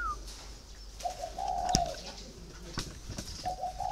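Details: Caged spotted dove of four years' keeping giving one long low coo with a short lead-in, then the start of another, among sharp clicks and knocks.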